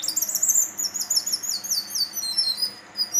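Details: Juvenile male Brown-chested jungle flycatcher from Banten, three to four months old, in spotted plumage, singing actively: a continuous, very high run of rapid, sharp chirps and twittering notes, steady and loud, with a faint background hiss.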